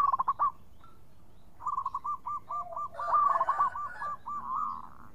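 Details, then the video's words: Local zebra dove singing: a brief rapid coo run, then a long series of quick hooked notes with overlapping rough trilling and a faint low hum. "Pancingan Perkutut Lokal Gacor Suara Bening"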